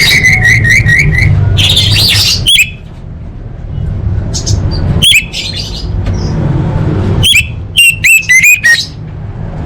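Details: Orange-headed thrush on a tutor recording for elite training events: a row of five quick repeated whistled notes, a buzzy slur, then sparse sharp chips and a final flurry of rising notes, with low humming background.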